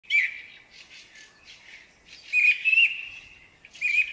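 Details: Song thrush singing in spring: bright whistled and chirpy phrases, several brief notes followed by louder rising whistles, with short pauses between bursts.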